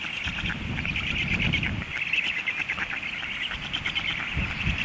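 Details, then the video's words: Stork chicks calling hungrily after the adult's departure: a continuous thin, rapid, buzzing chatter, louder in places, over a low rumble of wind. "storklets hungry"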